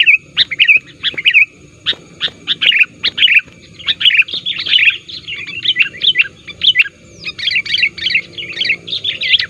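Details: Sooty-headed bulbul calls for luring wild birds, said to be active and pressing rivals: lively chattering series of short bubbly whistles, bursts every half second, becoming a dense warbling run toward the end.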